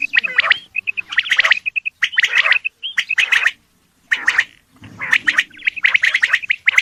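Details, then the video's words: Calling male Coturnix quail gives rough, rattling note clusters roughly once per second. Brief clear whistled notes run between them, and a few gaps are silent. "Male Quail Calling ,California Quail Sound - Bird Song/Call, Male Coturnix Quail Calls / Sound"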